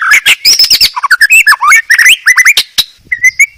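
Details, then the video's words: Medan white-rumped shama song used as a master recording for training cage birds: loud, rapid bursts of sharp chips and whistled slurs, rising notes in quick succession, ending in a few drawn-out whistles. "Masteran MB Medan Terbaru"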